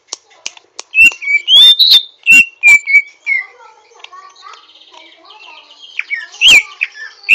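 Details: Greater green leafbird learning to sing with rough twittering: loud clear whistled notes and sharp clicks in the first half, then softer buzzy chatter, ending with one bright whistled upslur.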